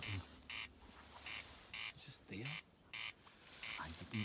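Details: Rasping, regularly spaced crex-like notes from a corncrake close to a tent at Iona campsite, with a steady low hum and short bursts of human speech between calls.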